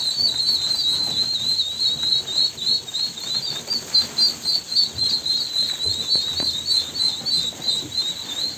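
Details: Ducklings keep up a rapid series of sharp, high peeps that rise and fall in loudness, with faint low rustling behind.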